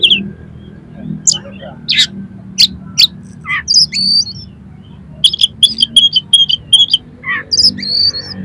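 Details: Oriental magpie-robin song packed with harsh, rough imitated material, used to stir up another magpie-robin: varied sharp whistles, clicks and buzzy notes, then a rapid run of repeated high whistled notes, with a low hum underneath.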